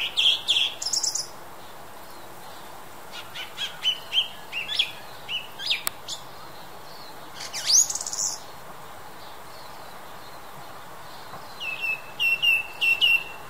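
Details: A song thrush sings loud, whistled phrases separated by pauses, some built from one note repeated three or four times, over a quiet outdoor hiss.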